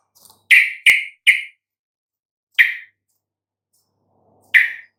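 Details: Sooty-headed bulbul chirps, played to coax hesitant or stuttering birds into singing: three quick loud notes with a sharp click among them, then two more isolated notes after longer pauses.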